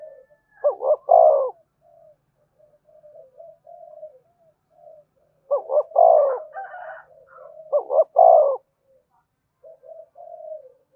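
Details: Spotted dove calling wild doves to a decoy site; the wild birds reportedly answer and approach fast. Three clear stuttered coo phrases, each ending in a sustained note. Quieter murmuring coos fill the gaps.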